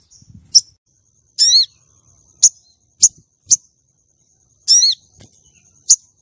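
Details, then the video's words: Calling female common iora, meant to lure males and trigger their breeding drive for contests: scattered high sharp chips mixed with two longer descending whistled notes, over a faint steady high whine. "Pancingan sogon betina untuk pikat dan pancing birahi sogon jantan lomba"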